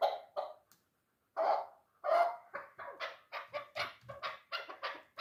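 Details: Dulan hunting chukar, three years old, giving a couple of clucks, a silent pause, two loud drawn-out calls, then a hurried string of rough chuk notes.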